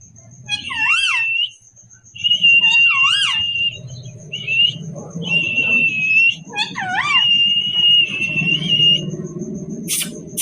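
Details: Pet parrot chattering nonstop to itself: loud wavering whistled phrases, some with rapid up-and-down warbles, in bursts separated by short pauses, over a low background hum and murmur.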